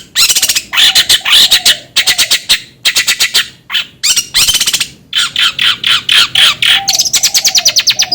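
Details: Long-tailed shrike song used as a lure to stimulate another bird to sing: loud harsh, raspy bursts of rapid chattering notes in quick succession, with a low whistled tone running beneath some phrases.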